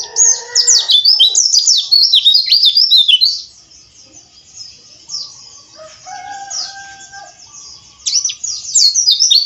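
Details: Oriental white-eye (pleci) rough ngeriwik chatter for lure use: dense high twittering with fast up-and-down sweeps, a quieter gap with faint lower tonal whistles, then the chatter resumes.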